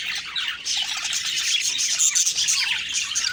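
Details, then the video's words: Morning budgie chatter, many birds at once, busy overlapping high chirps and scratchy warbles rising and falling rapidly, close and unbroken. "Beautiful morning birds chirping sounds/Budgie sounds"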